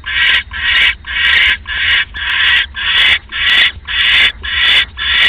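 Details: Nesting owl at 3:40 AM on October 5, 2015, during a rat delivery; the female later eats at a feeding tray. Rough, hissing screeches come in an even series, roughly two per second, each with a noisy, grating tone.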